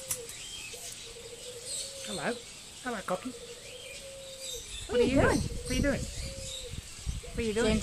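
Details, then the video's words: Talking corella recorded at Silverton, New South Wales, on 25 June 2010, producing speech-like babbling phrases with wavering, warbling pitch in short bursts, over a steady low hum and outdoor background noise. "Talking Corella"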